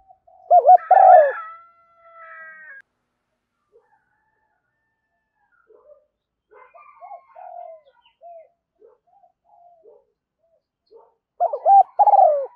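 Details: Female spotted dove lure call for attracting doves, thúc gù and gáy gọi styles: a loud phrase of quick double coos and a falling note, soft scattered cooing in between, and a final loud phrase near the end.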